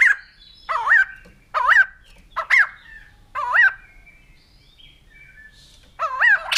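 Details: A white-crested laughingthrush repeats a ringing call that rises then drops, about once every second, with a longer gap before the final calls.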